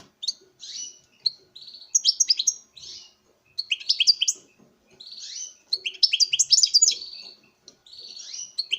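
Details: A captive male European goldfinch courting a female sings a bright, tinkling jumble of high twitters and buzzy trills in bursts a few seconds long, with brief pauses between phrases.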